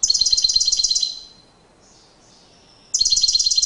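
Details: European goldfinch in courtship display, giving fast, evenly repeated high trilled notes in two bursts of about a second each, separated by a quiet gap with a faint whistle.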